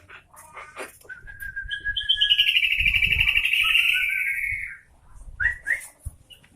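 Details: Sooty-headed bulbul (kutilang) delivering a long, sustained warbling phrase that holds steady for about three seconds before dropping away, with brief chirps before and after and faint low rumble underneath.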